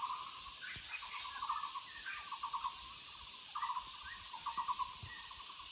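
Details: Woodland recording of a Muller's barbet: rolling trills of low, pulsed notes, some run together into longer phrases, with faint higher chirps and a continuous buzzing insect background.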